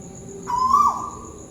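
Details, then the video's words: Tuwu bird from Malaysia calling from somewhere overhead: a single clear, slightly rising then falling whistled note lasting about half a second, with a steady high hiss behind. "Burung tuwu malaisia lagi bunyi diatas"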